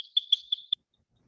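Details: Vermilion flycatcher typical breeding song, given while rising and quivering in display flight, Texas Hill Country/San Antonio area: a quick run of four high, thin, tinkling notes, each louder, within under a second.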